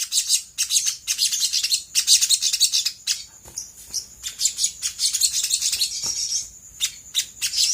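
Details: Sooty-headed bulbul song used as a lure so other birds respond quickly, a busy, high-pitched warbling chatter with short breaks and sharp chirps, continuing almost without pause.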